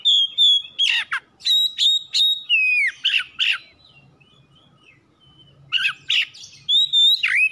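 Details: Captive oriental magpie-robin at home giving lure song to prompt singing: loud whistles mixed with sharp chirps and rasping notes, a pause with faint low hum, then renewed whistled phrases.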